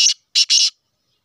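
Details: Three coarse, buzzy, grating notes from a Sheedi-cross black francolin, the last two run closely together, ending the phrase in sudden silence.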